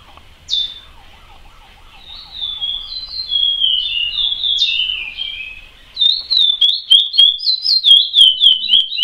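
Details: A "praia"-type singing chestnut-bellied seed finch gives clear, sweet whistles that slur downward, speeding into a quick run of repeated phrases, with a faint lower chatter early on.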